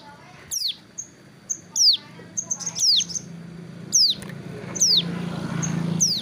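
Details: Hill prinia, a kept bird put out in the sun by a roadside while moulting its wing feathers, still singing: loud, sharp notes sweeping steeply downward, repeated roughly once a second, with short high thin whistles between them and a low hum behind.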